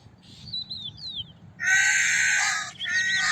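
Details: Crow call: a few faint high whistles of small birds, then one long, loud, raspy caw breaking into a second shorter one.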